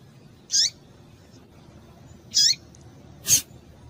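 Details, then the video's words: Female Double-collared Seedeater (coleiro) calling in breeding condition to excite and stimulate males: two short, high, downward-sweeping chips about two seconds apart, followed by a sharp broadband click, over a quiet low background hum. "fêmea de coleiro quente para esquentar coleiro"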